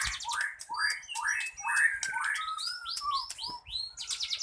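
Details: White-rumped shama song with many varied phrases, used as a lure to get silent birds singing: a steady stream of rich rising and falling whistles, repeated upslurred notes and buzzy chatter over a low background hiss.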